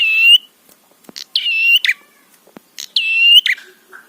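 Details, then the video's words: Prinia, red-headed form, in a provoking lure recording: short nasal buzzing notes with rich overtones, each ending in an abrupt flick, given about once every one and a half seconds; soft taps and a faint low note are heard between. "Masteran Suara Trapi Prenjak PANCINGAN EMOSI BIKIN BUNYI"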